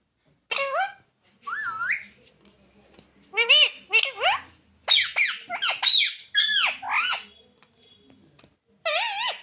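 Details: Talking parrot, said to say "mummy papa": a long run of rapid, speech-like syllables and squeaky bending notes, densely packed in the middle, ending with a separate short phrase.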